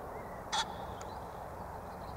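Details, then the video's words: A pheasant gives one short, harsh, rasping burst, with the start of another at the very end, above constant low background noise. "I filmed a pheasant calling"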